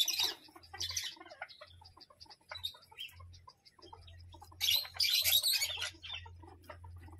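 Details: Mostly soft scattered chirps from a parrot, broken by a sudden loud burst of harsh screeching near the end of the first half of a quiet stretch, over a steady low hum.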